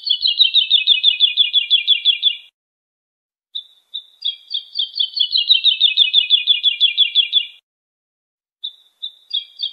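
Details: Song of the bird called wolwal, used for tutoring young European goldfinches: two long rhythmic trills of rapid, high, evenly repeated notes that slowly descend, separated by a pause with a few short introductory notes.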